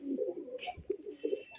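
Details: A newly released male domestic pigeon gives low, throaty, rolling coos while following and courting a biscuit-coloured female, seeking to mate.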